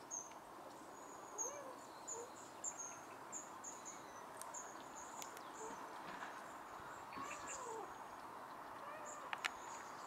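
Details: Long-tailed tits at home in Ljubljana on 14 January 2024 give thin, very high, faint 'see-see' calls in short runs throughout, over a steady rumble of distant background noise.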